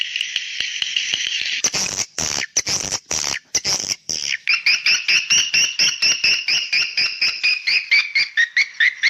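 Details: Swiftlet call used to draw young swiftlets: a buzzy high trill, then loud clicking bursts, then a rapid series of short chirps repeated about twice per second that quicken toward the end.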